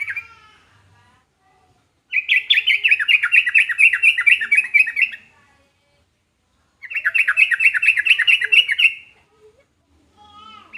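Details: Yellow-vented bulbul, or trucukan, in song meant to make other trucukan answer: two long, dense, bubbling chatter phrases of about three seconds each, with quiet gaps between them.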